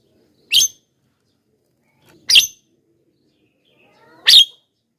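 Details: Javan myna calling loudly, used as a lure for wild mynas: three short, harsh, noisy bursts, each spread widely across the range and spaced about two seconds apart, with silence between.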